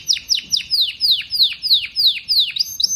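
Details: Singing canary delivering about eleven quick downward-sweeping whistled notes in a steady, rhythmic series.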